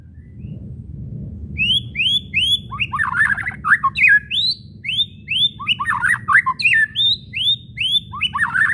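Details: White-rumped shama whistles and chattering calls (kretekan), used to provoke shamas to sing: repeated rising whistled notes about twice a second, mixed with harsh clustered chatter bursts, over a steady low hum.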